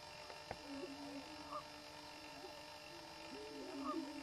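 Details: Male greater prairie-chickens performing their mating display on a lek (dancing ground): low, hollow, overlapping moaning hoots that swell and fade, plus a single sharp click and a steady background hum.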